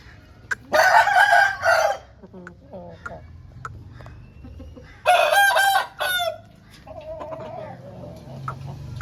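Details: Aseel rooster, a home breed, crowing twice: a long, loud, harmonic crow near the start and a second one about four seconds later, with softer clucks and low background hum between them.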